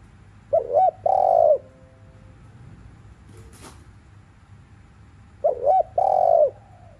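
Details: Spotted dove giving two coo phrases about five seconds apart in the afternoon, played to stimulate other doves: quick double hoot then a long mellow note, with a brief click heard between.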